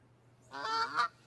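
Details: Canada goose, a familiar sound heard a lot in fall during migration south, played in a guessing quiz: one short nasal two-part honk, harsh and rising, about half a second long, on a quiet background.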